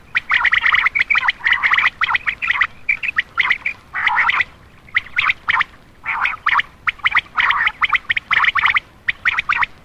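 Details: Common quail call used at night to attract males: dense, rapid bursts of sharp chirping notes packed closely together, broken by brief pauses, with a continuous run of calling through the whole stretch.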